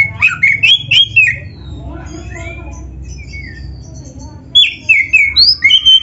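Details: Oriental magpie-robin in full song, packed with imitated phrases for training other birds: bursts of bright chattering whistles, a quieter stretch of scattered soft notes, then another fast run of loud sliding whistles.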